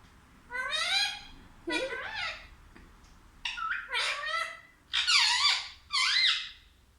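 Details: Parrot talking: five squeaky, speech-like phrases, each under a second, built of stacked bending tones that rise and fall, separated by brief quiet gaps in a quiet room.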